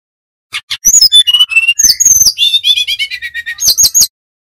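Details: Brown-chested jungle flycatcher of Bali origin in full, vigorous flute-like whistling song: a rapid, varied run of high chirps, slurred whistles and dropping notes, then a falling series of buzzy phrases and a close of high repeated notes.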